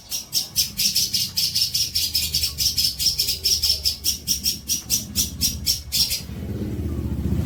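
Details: Tutor song of a long-tailed shrike for training juvenile birds: a fast, even series of sharp high clicks or chips, about four per second, running for six seconds and then stopping, with low hum beneath.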